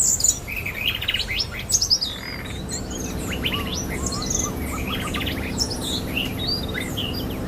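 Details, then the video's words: Wild magpie-robin singing in forest: bursts of varied high chirps and short whistled notes, loudest in the first two seconds, over a steady low rumbling background hum. "suara burung murai asli di hutan"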